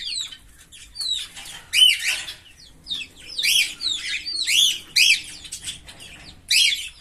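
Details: A green Fischer's lovebird pair sings loudly: strident, high-pitched chirps, each sharply rising then falling, repeated in rapid chattering runs with short pauses.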